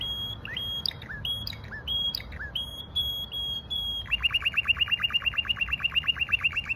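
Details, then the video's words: Russian canary singing level whistled notes broken by downward slurs, then switching to a rapid, evenly pulsed roll of chirps, over low steady background noise. "rassion kanery"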